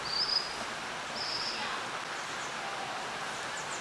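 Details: A common kingfisher in a cool valley gives two thin, high, drawn-out whistles about a second apart over the steady rush of a stream.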